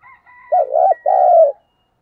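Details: Spotted dove used as a decoy, calling in the luring style: a soft, faint higher note first, then a loud, low, hollow double coo ending in a drawn-out, slightly falling purr.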